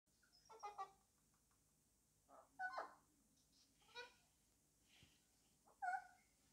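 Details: Male Alexandrine parakeet talking to his toy: short bursts of harmonic, speech-like chatter in four or five separate phrases, some rising and nasal, with quiet pauses between and a faint steady hum behind.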